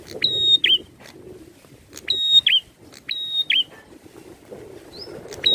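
A prinia gives loud, sharp phrases: a held, piercing high whistle ending in a quick lower twist, repeated every second or so over a faint low rumble.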